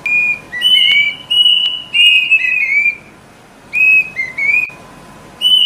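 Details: Plaintive cuckoo (Cacomantis merulinus), call.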